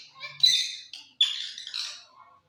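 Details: Talking rose-ringed parakeet: two harsh, buzzy, speech-like bursts of chatter, each about half a second long, fading into a softer trailing note.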